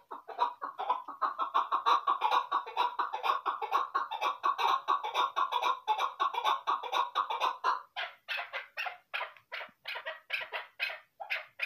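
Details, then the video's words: Female chukar partridge, used as a hunting call, gives a fast run of hoarse, clucking chuck notes, about two a second, breaking into louder, more spaced chucks near the end. "fighter chakot ki shandar video ||shikari awaz sound boice|| keklik sesi"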